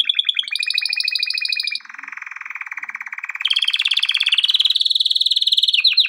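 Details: Training song of a male canary: continuous rapid trills shifting between tours, a high pulsed roll, a lower dense rattling section, then rising fast high trills with sharp closing notes.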